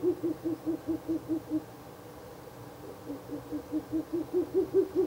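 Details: Night recording of a Ural owl at a nest box, 16 April 2024, on the third night of visits to the nest: rapid strings of short, muffled low hoots, two bursts back to back, the second rising gradually in pitch and loudness.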